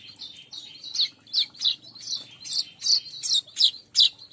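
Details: Weaver calling as a lure for weaver birds: a rapid string of about ten harsh, high chirps, spaced roughly a third of a second apart, over faint twittering.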